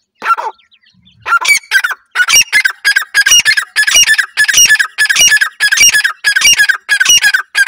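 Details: Partridge chicks being cared for, giving a loud, fast series of harmonic chirping calls at about one and a half per second, after a single opening call and a short pause.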